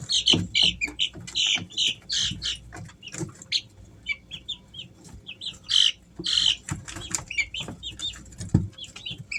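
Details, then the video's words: Three-week-old Easter Egger chicks call in loud clusters of shrill high peeps, pausing briefly between groups, over faint rustling and occasional knocks. "Sounds of baby chicks"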